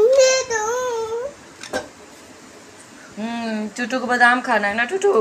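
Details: Pet ring-necked parakeet indoors, talking in a South Indian movie style: a wavering whistled tone, a short gap of faint room noise, then a burst of rapid, harmonic, speech-like chatter.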